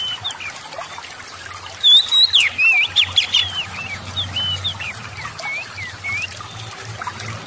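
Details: Oriental magpie-robin song played as a lure to stir lazy magpie-robins into full, steady singing; loud clear whistled notes burst out midway, rising and falling in quick varied phrases, with a faint low hum and background hiss throughout.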